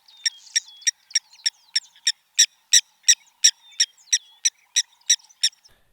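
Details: Nutall's sand frog giving sharp metallic 'tink' notes, about three per second in a steady hammering series, easily confused with a Blacksmith Lapwing; faint thin whistle in background.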